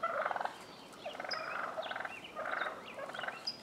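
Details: Male wild turkeys worked up by a tom fight spilling into a front yard in Willits, Mendocino County, California. Gobbling comes in rattling bursts, while small birds give thin, high, down-slurred chirps in the background.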